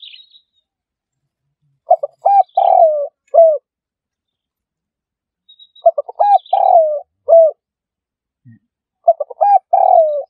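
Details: Trapping lure of a spotted dove, its coo phrase repeated three times at steady intervals: a few quick stuttered notes, a long purring coo, then one falling coo, with silence between phrases.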